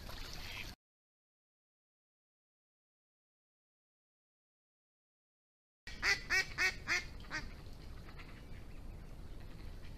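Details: Mallard calling: after a brief snatch of sound and a long silence, a run of four loud, harsh, nasal quacks in quick even succession, then fading background noise.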